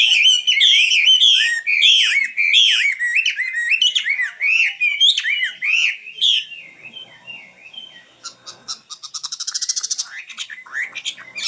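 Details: Common nightingale singing a long sequence of repeated, swooping whistled notes at a steady pace, followed by quieter pauses and a fast, buzzy, high-pitched rattle near the end.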